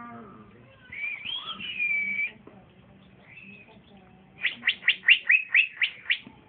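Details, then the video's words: Young male green leafbird (cucak ijo), kept for sale, already singing strongly: a slurred whistled phrase, a brief softer whistle, then a quick run of seven sharp, bright chirps, over a faint low hum. "c ijo trotolan jantan masih muda udah bunyi mantap"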